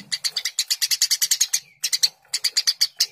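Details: Eurasian tree sparrow, Passer montanus, singing lively as a training recording: fast runs of sharp, bright chirps about ten per second, a short pause near the middle, then another rapid burst.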